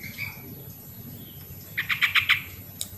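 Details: Sooty-headed bulbul song, played as a lure to get reluctant bulbuls singing: one short burst of about five quick bubbly, rounded notes in a steady run, set against faint low background hum.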